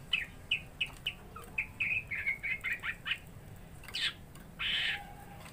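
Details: Caged greater green leafbird provoked to fight a rival; a run of short bright chirped notes repeated about every third of a second, then a buzzy harsh burst near the end, with faint low background hum.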